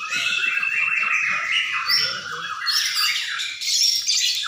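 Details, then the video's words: White-rumped shama at a singing contest field in Sidareja, Indonesia: dense, rapid run of loud whistled and chattering phrases, sliding up and down, overlapped by other competing birds, with faint crowd murmur underneath. "masteran murai batu di Gantangan"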